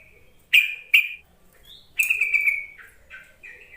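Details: Yellow-vented bulbul call used to provoke lazy, untrained bulbuls into answering: two sharp, bright chirps, then a longer steady trilling phrase and softer short bubbly notes near the end, with no other sounds.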